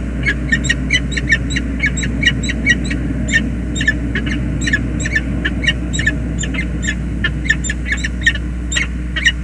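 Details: Male and female peregrine falcons share an affectionate two-minute meeting at their nest on the James River Bridge, USA, on 20 February 2022. Long, fast series of grating chatter calls play against a steady low rumble.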